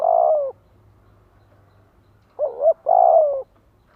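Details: Spotted dove decoy bird calling to incite wild doves to coo back. Broad, slightly hoarse coos with a downward slide, separated by a two-second silence, over a faint low hum.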